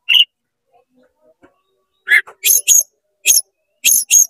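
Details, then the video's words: Short bout from an oriental magpie-robin singing to stir up rival magpie-robins: an isolated high note, a near-silent pause, then a run of sharp, clipped high whistles in quick, uneven succession. "CEPAT GACOR BUKA EKOR DONGKRAK EMOSI KACER KONSLET BIKIN KACER LAIN PANAS"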